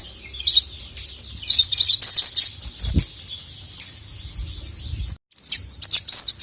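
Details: Energetic ('gacor') Ruby-cheeked Sunbird (sogon, sogok ontong) calling a male, a tutoring recording meant to rouse quiet birds: rapid, very high, thin chirps and twittering trills in dense bursts, with a short pause before the chatter resumes.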